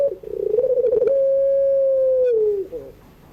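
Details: Afternoon crying-style call of a puter pelung dove, used to tutor young birds: a vibrating, rolling start leads into a smooth, flat coo held well over a second that slides gently downward at the end.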